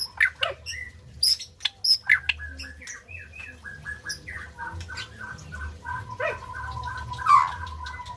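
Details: White-rumped shama song for encouraging silent birds: sharp high chips and squeaky notes at first, then softer varied warbling and a longer, steady whistled note near the end, with a low hum throughout.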